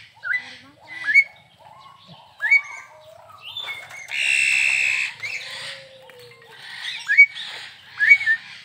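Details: Vigorously singing crested myna at Perbaungan zoo park, giving sharp upslurred whistles every second or so, broken by a loud, harsh, hissing burst in the middle.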